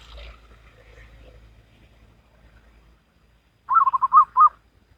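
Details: After a stretch of low rumble and faint sounds, a local wild zebra dove delivers one Salendro-rhythm phrase of quick rolling coos capped by two firmer notes.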